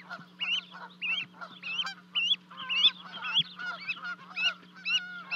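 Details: Canada geese at Charlo, Montana, 12 May 2020, on a livecam as two goslings leap from a 30-foot-high osprey nest to join their parents; arched, nasal honks repeat about twice a second over a steady low electrical hum.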